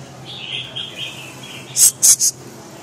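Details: Red-whiskered bulbul, called a 'crazy dinosaur' bird, singing a soft wavering whistled phrase followed by three loud, very high, sharp notes in quick succession, over a low steady hum.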